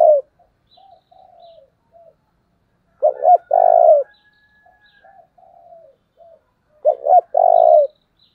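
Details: Decoy spotted dove used to lure wild birds gives three low cooing phrases. Each is a stuttered double note and then a long, steady coo, separated by quiet, softer cooing notes.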